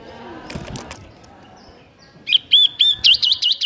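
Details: Bar-winged prinia in energetic ngebren song, starting after a quiet stretch with a quick series of looping, wavering high notes that speed up toward the end.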